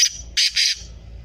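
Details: Black francolin (kala teetar) calling: three loud, harsh, grating bursts in quick succession, the first brief, then two longer ones with a short gap, followed by quiet.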